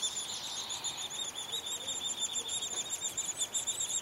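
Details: Downy woodpecker nestlings squeaking in a hole bored in a tree in spring while the mother and father take turns feeding them. Rapid, shrill, buzzy squeaks pulse in a dense continuous stream, with a brief rustle midway.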